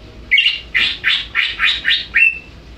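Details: A greater green leafbird singing actively, giving a rapid string of seven rich, warbled notes, the last one a clear, steady whistle.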